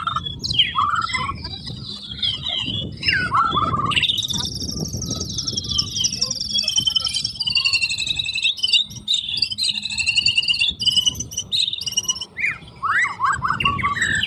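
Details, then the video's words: White-rumped shama, or murai batu, singing continuously in loud, forceful bursts: rich, varied whistled phrases, rising and falling slides and sharp chattering notes, one after another without pause, over a steady low rumbling background noise. "Burung Murai Batu Gacor, Tembakan Keras, Suara Rapet"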